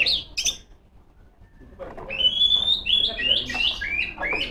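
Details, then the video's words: Female Oriental magpie-robin singing to call rivals: two sharp chips, a quiet gap, then a long clear whistle followed by looping, slurred whistled phrases. "suara burung kacer gacor ngeplong memanggil lawan"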